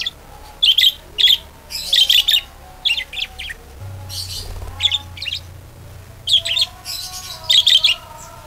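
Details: Budgerigar chirping used as a lure to get other budgerigars singing eagerly. Short clusters of high, twittering chirps come in irregular bursts, some softer, with a low hum in the background partway through.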